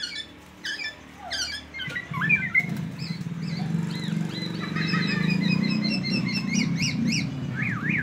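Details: Black-naped oriole in teler style, copying white-rumped shama song, used to prompt other orioles to sing. Quick whistles, rising and falling slurred notes and repeated chirps play over a loud, steady low hum.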